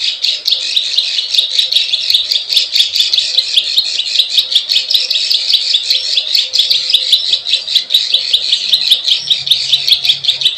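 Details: Plain prinia calling in the klik klik ciwah lure style meant to attract wild birds; busy, irregular stream of high clicking and buzzy notes, crowded and overlapping, with faint low hum late on.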